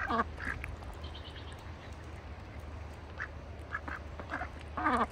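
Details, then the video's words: Farm ducks in a bucket during winter: a few loud nasal quacks at the start and end, with sparse softer calls and a constant low hum in between. "farm sounds. ducks in a bucket - wintertime."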